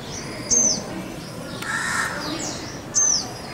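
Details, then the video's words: Male purple-rumped sunbird in India: two brief, piercing high notes, each dipping slightly in pitch, about two and a half seconds apart, with a soft harsh call from another bird between them. "Sunbird purple-rumped"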